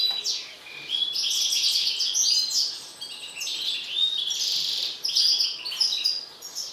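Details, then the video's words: Agitated mutant European goldfinch singing: dense, fast twittering of bright chirps and buzzy trills with short sliding whistles, delivered in continuous bursts that swell and fade over several seconds, with no other sounds. "حسون طفرة هائج"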